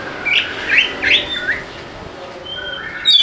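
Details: Oriental magpie-robin (kacer) song used as a lure to get lazy birds singing: a few slurred whistled phrases with upward sweeps, then quieter sustained whistles and a sharp note at the end.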